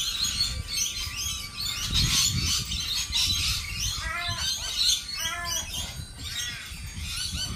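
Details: A noisy crowd of lorikeets, shrill screeching mixed with clipped, nasal squawks in short runs around the middle, against constant low-pitched background rumble.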